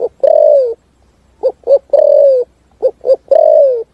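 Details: Spotted dove giving its full song in a forest setting, with clear low hooting notes: paired short coos then a long sliding coo, three phrases spaced by short pauses.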